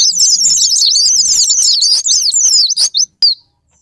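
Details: Sparring-partner lure of Japanese white-eye song, meant to stir kept birds into singing: rapid, high, tumbling twitter for about three seconds, then a few sharp separate notes and silence, with a faint low hum early on.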